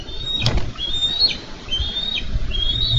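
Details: Bald eagles at a Minnesota nest, 4 July 2013, wrestle for a fish the male brought in. A few drawn-out whistled notes rise slightly, then drop sharply, with a clunk near the start.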